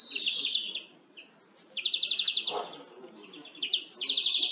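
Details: Greenfinch song for conditioning captive birds, with quick pulsed trills repeated about four times a second and a short rising buzz between phrases.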